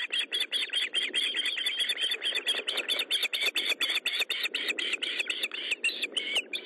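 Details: At the nest around a fish delivery, an Osprey gives an unbroken stream of shrill, clipped chirps packed closely together, evening of 13 July 2012 at 20:15, over a steady background hiss.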